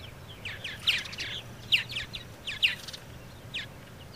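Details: Purple martins calling: sharp downslurred chirps repeated roughly every second, with softer gurgling chatter between, over a low steady hum.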